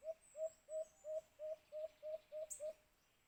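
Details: White-eared brown dove, locally called alimokun, recorded during bird hunting with a cage trap; nine short, low hollow coos repeated at an even pace of about three per second, with faint insect-like hiss high above.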